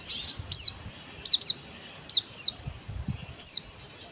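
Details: White-eye song of the dakbal type: high, thin, descending chirps, several given in quick pairs with irregular gaps between them, over faint low background noise.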